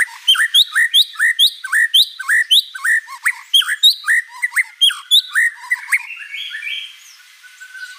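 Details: Energetic white-rumped shama song rich in fill notes, with sharp upswept whistles and chirps repeated about twice a second, giving way to softer, higher warbling at the end.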